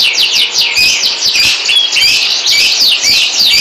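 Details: Canary producing a dense, high, twittering warble with sharp thin whistles mixed in, continuous and loud.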